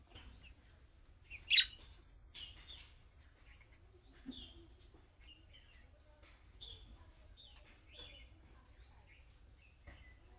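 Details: Budgerigar chicks giving calling-style chirps, the kind other budgerigars quickly answer; sparse short high chirps scattered over ten seconds, one sharp loud burst near the start, low hum underneath.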